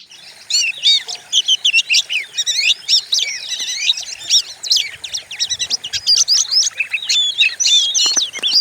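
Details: Oriental magpie-robin lure recording meant to stimulate and train other songbirds, described as fierce-voiced. A dense, continuous stream of high, varied whistles, sharp chirps and rapid trills sweeps up and down without pause.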